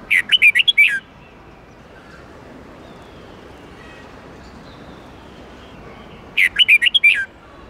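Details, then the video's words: Red-whiskered bulbul in an '8-9-10 note' twisting training song: a rapid phrase of six or seven looping whistles, a long pause with low background hiss, then the same phrase repeated. "Luyện giọng chào mào hót âm 8-9-10 xoắn tít cực hay"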